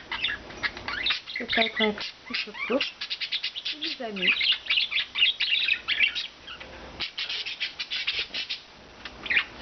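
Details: Four rescued pet budgerigars, one blue, two white and one green, flying free all day, pour out a dense, continuous warble of rapid chirps, clicks and squeaky notes, nearly unbroken for ten seconds.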